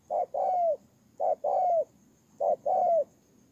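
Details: Caged spotted dove used as a ground decoy in Tumorong, Kon Tum, Vietnam, September 2018: three two-note coos, each a brief hoot followed by a longer descending note, repeated about every 1.2 seconds.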